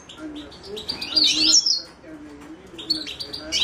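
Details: Himalayan goldfinch (Carduelis caniceps) song: a buzzy, warbling rising phrase of twitters, a quiet pause, then further high chirps, with faint low background sounds.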